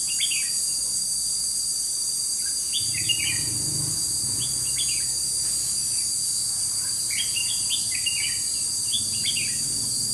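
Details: Red-whiskered bulbul used as a decoy during bird trapping on 21 July 2016, giving short bright warbled phrases in scattered bursts over a loud, steady insect drone, with faint low rumbling in the background.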